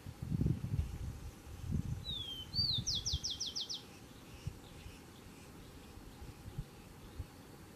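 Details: Rufous-collared sparrow, singing in territorial defence. A clear down-slurred whistle and a short slurred note lead into a rapid series of about six crisp trilled notes, with low thumping sounds in the background.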